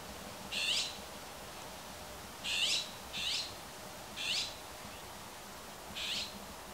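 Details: An azure-winged magpie in a Himalayan cedar gives its everyday call: five harsh, raspy calls, each about a third of a second, at uneven intervals, over a faint low background hum.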